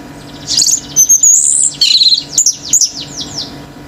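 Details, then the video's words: A singing male orange-headed thrush, stirring other birds to call: a dense stream of high thin whistles and quick descending slurred notes with scarcely a break, over a faint steady hum. "ANIS MERAH GACOR TELER‼️BURUNG LAIN IKUT NGAMUK‼️"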